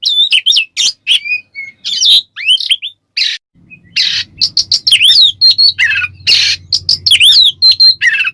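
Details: Oriental magpie-robin, ngeplong song used as a lure to excite other magpie-robins: lively mix of clear whistles, chirps and buzzy bursts, with a brief pause then faster, busier phrases over a low hum.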